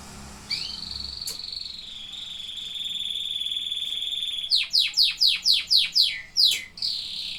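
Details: Singing canaries: one long steady high whistle lasting about four seconds, then a quick series of loud falling swoops repeated twice per second, with a brief trill at the end.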